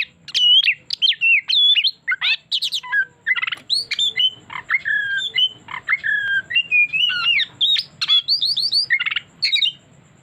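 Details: Oriental magpie-robin lure song used to coax a bird into revealing its full repertoire: a long, energetic medley of sweet whistles, quick chirps, looping slurs and rasping notes in dense bursts, over a soft low hum.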